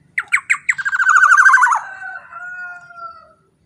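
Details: Loud calling of a black-naped oriole, kept as a lure to provoke other orioles: four sharp nasal notes quickly speed into a rapid grating rattle, then a long thin whistled tail slowly fading out.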